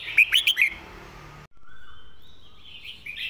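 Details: Red-whiskered bulbul master song with a fast, repeated phrase. It opens with four loud, crisp whistled notes, then only faint, thin, drawn-out warbling continues after a brief silence.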